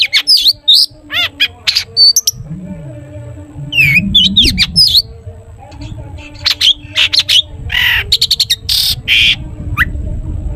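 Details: Long-tailed shrike singing a busy 'toet toet' song meant to prompt other shrikes into song: rapid high chirps, swooping whistles and harsh squawky bursts, over a low rumbling and humming background.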